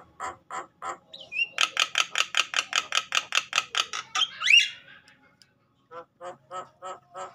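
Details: Agitated Javan myna singing, used to stimulate other mynas to sing: a fast series of harsh, rhythmic clicking notes at about three per second, a squeaky rising squeal, then softer repeated chattering notes.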